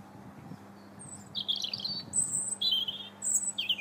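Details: European robin singing in January from a bridge in Linear Park, Bath: high thin warbled phrases, a sustained whistle then wavering trills separated by short pauses, over a faint low hum.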